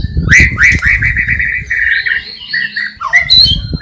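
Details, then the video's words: White-rumped shama from Cililin, Indonesia, whose song includes mimicked sparrow, fighting lovebird and kapas tembak calls: a series of rich, repeated whistles, then wavering higher notes and a sharp slurred call, with some low rumbling. "Murai Batu Gacor Isian Gereja Tarung Love Bird Kapas Tembak"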